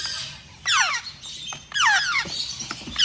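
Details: A young (baby) African grey parrot gives harsh, descending squealing calls in two main bursts about a second apart, with fainter squeaks between; grey parrot.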